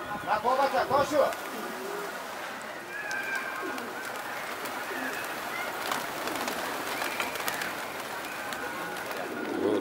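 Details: Pigeons of a pigeon-keeping flock in Kabul, Afghanistan, giving a short run of rolling, pulsed coos in the first second, followed by a steady outdoor city din with distant voices and traffic.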